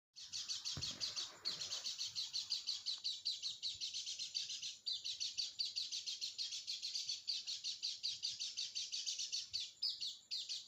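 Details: White-eye song used as a lure to get a quiet bird singing: a long, rapid run of high, dense chirping notes pulsing several times a second with barely a pause, with a brief low thump near the start.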